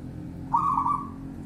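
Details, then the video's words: A single phrase from a local zebra dove (perkutut) in the bedah karang nabuh kentongan song style: a quick upward note, then a tremulous, bubbling coo lasting about half a second and trailing off, over a soft hum. "Perkutut lokal Satrio pinayungan ,suara bedah karang nabuh kentongan"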